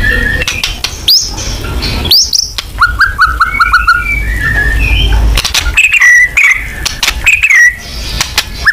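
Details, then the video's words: White-rumped shama lure song in the 'nembak' style: scattered loud whistles and sharp upswept notes, a short run of rapid repeated notes, then varied warbling phrases and clicks. "Pancingan AMPUH BONGKAR MATERI MURAI BATU FULL NEMBAK"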